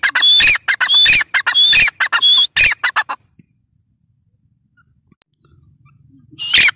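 Grey francolin giving a loud, harsh run of rapid high notes for about three seconds, then a pause before another brief burst.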